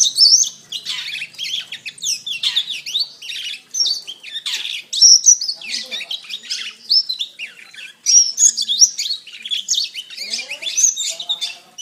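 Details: Long canary master song: busy, unbroken high twittering with fast trills, chirps and sweeping whistles, a brief lull near the eighth second, then more varied warbling.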